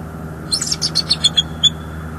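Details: Bald eagle male in northeast Florida, filmed by a nest cam on 7 December 2022 while moving in and out of the nest awaiting his mate. He gives a quick burst of high, thin chirps followed by a brief piping note.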